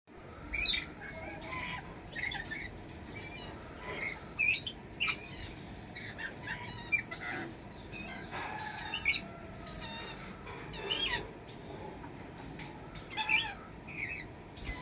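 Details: Brown-breasted Red-collared lorikeet giving shrill, rasping screeches in irregular bursts every second or so, mixed with high, thin chirps and a steady background hiss.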